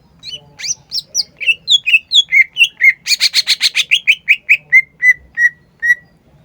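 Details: Green leafbird, called cucak ijo, in vigorous song: a fast run of varied chirps and slurred whistles, a rattling buzzy trill in the middle, then a slowing series of plain, even whistles.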